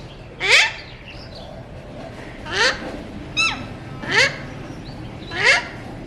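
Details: Mutation Alexandrine parakeet kept as a talking parrot repeats short raspy screeches at uneven intervals, five in six seconds, with thin chirps of other birds in between.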